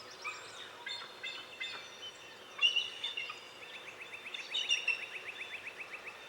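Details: Bald Eagle at its nest on 14 April 2018 gives high, thin chittering notes and a rapid run of squeaky piping calls, a distressed call while another, apparently intruding eagle circled; faint background hiss.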